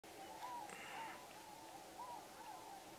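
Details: A few tundra swans at Pocosin Lakes National Wildlife Refuge, north-eastern North Carolina, in November 2017, calling as a flock: soft, high, slightly arched hoots overlapping every half second or so, over a steady hiss of distant birds.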